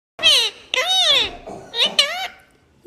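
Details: Pet parrot talking: three short word-like utterances in a clear, nasal, harmonic voice, the middle one drawn out with a rising then falling tone, separated by brief pauses in a quiet room.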